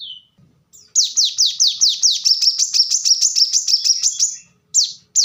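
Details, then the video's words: Rapid, thin, high-pitched trill of repeated sliding notes from a plain-throated sunbird (kolibri kelapa), lasting over three seconds, bracketed by single short chirps. "kolibri kelapa | manggar | wiceh | korlap gacor tembakan rapat"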